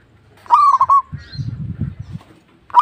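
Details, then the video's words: Local zebra dove singing: a stuttering run of short, low cooing notes with a rolling trill lasting about half a second. Low rumbling thumps follow, and the start of another phrase comes at the end. "PERKUTUT LOKAL GACOR"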